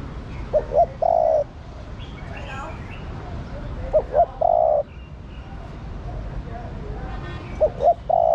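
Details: Spotted dove hen calling to rouse a male. Three repeated phrases of two brief coos plus one drawn-out, level coo, spaced about three and a half seconds apart, over soft background bird twitters.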